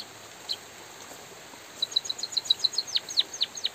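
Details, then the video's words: Vigorous white-headed munia song in drizzling rain: after one stray note, a rapid burst of high chirps breaks into steeply falling slurred notes. Soft rain hiss fills the background. "suara burung emprit pipit bondol kaji gacor jeda natural dan suara hujan"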